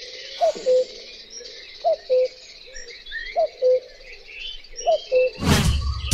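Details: Cuculus canorus, the common cuckoo, repeating a clear falling two-note cuckoo call four times at even intervals, with soft high twittering of other birds and a loud rushing noise at the end.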